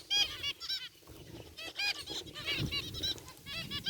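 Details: Group of aviary zebra finches, including a rare white bird, chattering: repeated nasal beeps in quick overlapping clusters from several birds, steady low background noise throughout.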